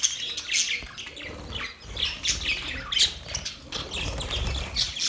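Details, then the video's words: Budgies chattering in their mating sound: short bursts of squeaky, raspy warble follow one another about every half second, with brighter sharp chirps mixed in. "Budgies matting sound"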